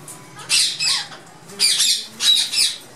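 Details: A colony of rose-ringed parakeets in an aviary in Lahore, coming down to soaked lentils in summer, give harsh, screechy squawks in four loud bursts about half a second apart, with a faint call to prayer in the background.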